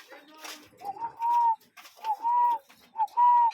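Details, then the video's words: Cuckoo in natural surroundings uttering three hollow two-part calls, a short clipped note followed by a drawn-out, steady whistled tone, over a faint background of other sounds. "Relaxing Cuckoo Bird Sound in Nature"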